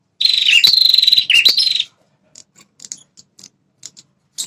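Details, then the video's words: Red-headed prinia call used to provoke wild males defending territory: a loud buzzy trill of nearly two seconds with two sharp dipping notes, then a series of soft separate ticks. "Suara Burung PRENJAK Kepala Merah"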